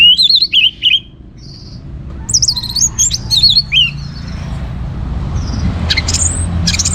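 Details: Energetic orange-headed thrush song for encouraging other birds to sing: quick warbled whistle phrases rising and falling, then a pause and a second run of slurred notes, with low hum and faint hiss behind.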